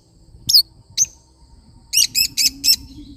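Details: Lovebird parrot giving two separate high squeaky chirps, then four loud harsh chirps in quick succession; a low background drone.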